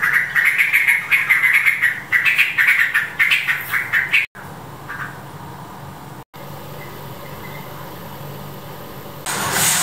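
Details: Yellow-vented bulbul mother raising chicks: a series of bubbly, chattering calls repeated rapidly for about four seconds, then quieter with faint notes over a steady low hum and a burst of noise at the end.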